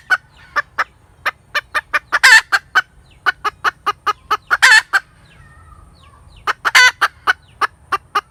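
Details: A hen cackles, pouring out rapid clipped clucks with three harsh, longer squawks set among them, then falling briefly quiet before a final burst.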